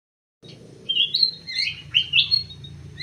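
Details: Munia calling in a short burst: thin, high chirps and bent whistled notes, some sliding down and others rising, clustered within about two seconds over a faint low hum.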